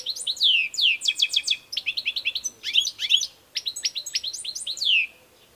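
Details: European goldfinch, kept bird, in continuous song: sweeping downslurred whistles, fast trills, and rapid ticking note series, ending on a long falling buzzy note.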